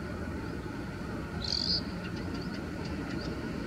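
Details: An Oriental greenfinch sings one short, high buzzy trill, then a few faint twittering notes, over a steady low rumble of background noise.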